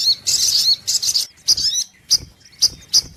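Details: Sogok ontong sunbird on a lure recording: a few bright, high, squeaky chirps and warbled phrases, then short sharp notes spaced irregularly, with a soft low rustle in the background.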